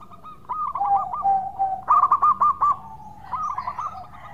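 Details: Local zebra dove singing actively, a sweet-voiced lure song: a soft rolling coo, a sustained even tone, then a strong burst of six rapid clipped notes and a fainter stuttering phrase.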